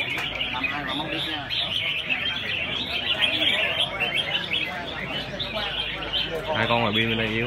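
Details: Several red-whiskered bulbuls sing over one another in bright, bubbly, quick-fire phrases during the 24-bird round of a bulbul singing competition that had 120 entrants; a man's voice breaks in near the end.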